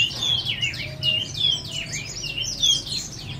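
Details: Chestnut-flanked white-eye giving high, sweet chirps that rise and fall in quick succession, with bright whistled accents recurring about every half second over a faint low hum.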